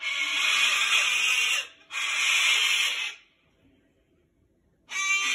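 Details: A cockatoo caught on a balcony's wire fence, trying to get free, gives three harsh, raspy screeches, two long ones back to back and a third after a pause, each loud and grating, crying for help.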